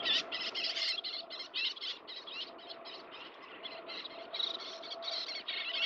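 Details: Rasping high calls from a little tern at the nest while feeding chicks, given in short bursts about once or twice a second over a steady low hiss.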